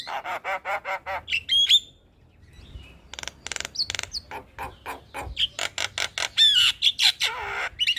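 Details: Javan myna, a prolific morning singer, recorded as tutoring and lure material: steady runs of harsh, rasping chatter with sudden slurred whistles. A short quiet break is followed by more dense, scratchy bursts.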